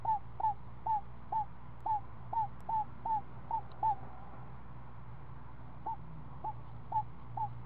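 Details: Short hooked chirps come in a quick series at a screech owl nest where the mother feeds a week-old owlet. The series pauses for about two seconds and then resumes, over a faint low hum.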